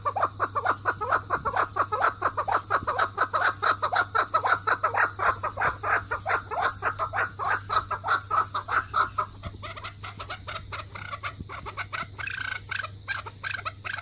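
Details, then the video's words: An angry male chukar partridge (Alectoris chukar) raising the alarm while pecking the ground: rapid, harsh clucking notes about two per second, steady for nine seconds, then looser, scratchier calls over a low hum. "chukar partridge (Alectoris chukar) | male | sound | call | song | alarm call"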